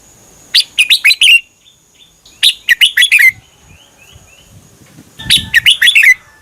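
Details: Red-whiskered bulbul, a Thai cage bird, singing a doubled song meant for copying: three quick phrases of clear whistled, slurred notes, each under a second, with faint soft chirps between.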